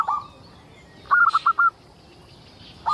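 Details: A local zebra dove singing to coax other zebra doves into song. One clear phrase of four or five quick staccato coo notes, with brief coo fragments at either end.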